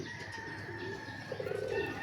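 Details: Newly acquired racing pigeons: a short, low, rounded coo rises near the end, over a steady background hum and a faint, thin, higher tone held throughout.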